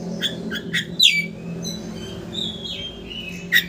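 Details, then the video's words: Oriental magpie-robin song used as a lure to provoke a rival into opening its tail: scattered short whistles and sharp notes, one falling slurred whistle near the middle, a long gliding whistle, low hum underneath. "Pancingan Kacer Gacor Untuk Memancing Emosi Lawan Agar Mau Buka Ekor"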